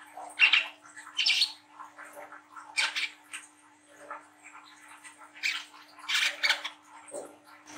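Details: Young brown-throated sunbird chattering its ngriwik song, used as a lure for young birds. Hoarse, squeaky high bursts arrive in clusters with gaps between them, over a low continuous hum.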